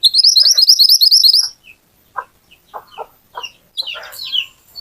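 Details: Lively little pied flycatcher used as a lure to get other birds singing; opens with a fast, high, buzzy trill of repeated notes for about one and a half seconds, then scattered short chirps and low clucking sounds.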